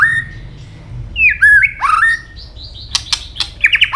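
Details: White-rumped shama in fighting song with tail snaps: a held whistle, a quiet pause, tumbling slurred notes, then sharp clicks and a short rattling burst of whistled notes.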